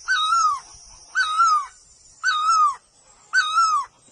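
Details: A bird gives clear, slightly wavering whistled notes, each about half a second long and falling at the end, repeated roughly once a second. A steady high insect drone runs underneath.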